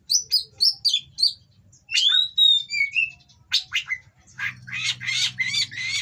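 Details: Oriental magpie-robin in mating condition, bred in captivity, singing to agitate rivals: brief whistles, a long clear rising-and-falling slur, then harsh buzzy bursts repeated in quick succession, with low hum beneath.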